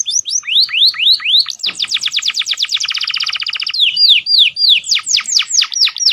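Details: Domestic canary singing with prenjak and ciblek fills: upswept whistled notes, a fast rolling trill lowering in pitch, then strong repeated downslurred whistles in quick succession.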